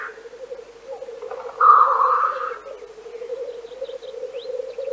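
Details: A Black grouse from Central Russia gives a steady, low bubbling coo throughout, broken by a loud hissing sneeze, with faint high chirps of small birds near the end.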